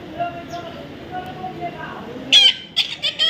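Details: Baby parrot, kept and being tamed as a pet. Soft human speech first, then loud harsh squawks burst out several times in the final second.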